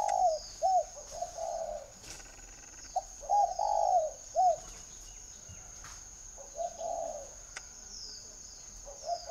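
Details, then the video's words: Captive spotted dove at a northern Vietnamese bird farm near Ba Vì, Hanoi, repeating short, low, hollow coos in uneven bursts, some clipped and some drawn out, against a quiet background with a faint electrical hum. "chim cu gáy hay"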